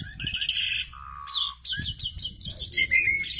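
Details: Asian pied starling calling in a pairing session: a rapid mix of chattering notes, a long steady whistle, then quick repeated chirps and a final rising whistle.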